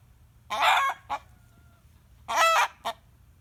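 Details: Screaming rooster reacting to a cackling hen: two strained, buzzy squawks nearly two seconds apart, each followed by a short clipped yelp, with a faint thin tone between them.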